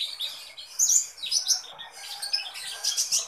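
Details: Sunbird known locally as kolibri ninja in full, eager song: rapid high twittering with sharp squeaky notes in quick clusters, barely pausing.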